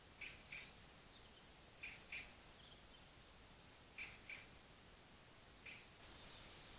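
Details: Courting pair of European robins at a feeding table around 5am in the dark on a cold February morning, filmed by infrared trailcam: sharp, clicking tick notes, mostly in quick pairs about two seconds apart, over steady hiss.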